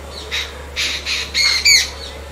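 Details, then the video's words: Jungle babbler babbling, a series of five harsh, squeaky notes about half a second apart, the last two with a thin whistled edge. "Jungle Babbler Sound"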